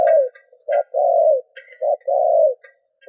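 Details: Lure spotted dove giving rapid paired coos, short note followed by a long steady hoot, repeated about once a second, over faint higher chirps and clicks.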